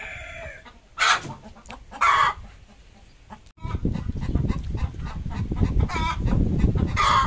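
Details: Desi hen laying an egg: two loud, harsh squawks about a second apart, followed by a steady low rumble of handling or wind noise with faint clucks beneath it.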